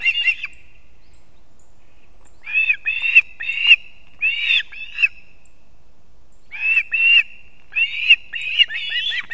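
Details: Osprey family at a Kurzeme, Latvia nest cam, early morning on 3 September 2024, male arriving with two fish for the chicks; clusters of sharp, whistled, slightly downslurred chirps repeated quickly, with pauses of a few seconds between bursts.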